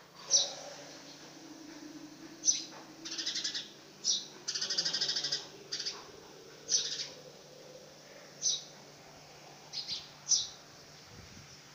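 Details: Young house sparrow attempting its first flight mixes sharp high chirps, repeated roughly every one to two seconds, with a few harsher buzzy, rattling calls; low background noise and faint hum throughout.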